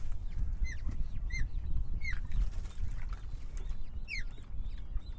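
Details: Osprey at its nest in the Marais d'Orx nature reserve, France, where a reintroduced male breeds with a female from Germany, 18 May 2023, 08:47. Sharp whistled chirps, each slurring downward, repeated about twice a second over low wind noise.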